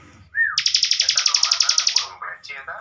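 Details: Caged bar-winged prinia used to train young contest birds: a whistled slur rising then dropping, followed by a long, even, rapid buzzy trill of roughly twenty pulses, then scattered lower chirps and faint talk.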